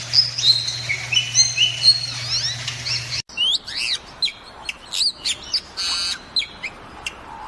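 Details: Endangered Bali myna from the Indonesian island of Bali: a run of bright whistled notes over a low hum, then after a cut, sharper chirps, short up-and-down whistles and a harsh rasping burst.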